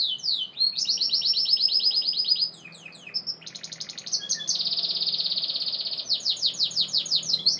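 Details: Continuous Gloster canary song with fast repeated rolls, sweeping whistles and a long even buzzy trill, changing tour every couple of seconds, set against soft low hum.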